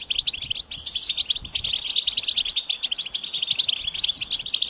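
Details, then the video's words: Goldfinch singing a fast, continuous twitter of bright tinkling and buzzy high notes, tightly packed with barely a pause across the clip; a brief break near the start, otherwise steady and lively. "Experience the Goldfinch Singing"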